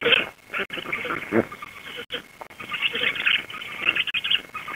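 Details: Black stork nest in Łódź, Poland, 16 June 2021 at 19:34, filmed by a live nest camera as an adult female returns and feeds her chicks. Hoarse, hissing wheezy bursts come in uneven runs under a steady thin background tone.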